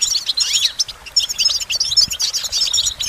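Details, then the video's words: Quick, high goldfinch song: a tumbling run of twittering notes, one descending slurred phrase near the start, then dense chirps that go on to the end. "Goldfinch Motivation Performance"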